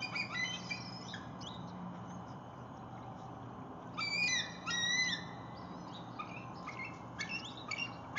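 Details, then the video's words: Adult and juvenile bald eagles at Lake Murray on 19 January 2022, the adult calling over a caught fish as the juvenile approaches: thin high whistles and sharp slurred chirps in clusters over steady low background hum. "Bald Eagle Juvie hopes for a bite of breakfish"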